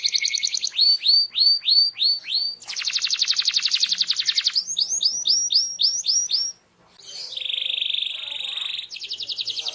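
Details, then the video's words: Canary singing gacor to encourage other canaries to respond: rising whistled sweeps in series, a rapid buzzy trill, more sweeps, then a steady buzzy rattle and a final trill. "Apapun Burung Kenari nya, BAKAL RESPON IKUT BUNYI dengar Suara Kenari GACOR INI"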